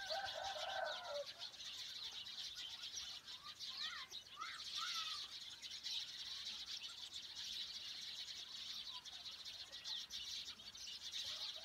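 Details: Small birds calling outdoors: a few short, sharp chirps and quick rising notes near the middle, plus a brief twittering burst at the start, all set against a constant high hiss.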